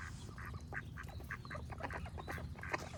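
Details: Duck giving a fast series of loud, raspy quacks, roughly three or four each second, while birds sing faintly behind and a deep steady rumble fills the low end.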